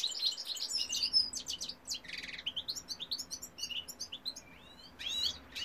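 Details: Goldfinch cock in song, pouring out rapid high twittering phrases of tinkling chirps with a short buzzy trill midway and a few clear rising whistles near the end.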